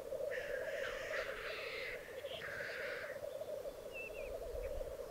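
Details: Black grouse at their lek in the Piedmont Alps, 2022. A long sequence of joined hissing, wheezing calls fills the first three seconds over steady low bubbling, followed by a few thin squeaky notes.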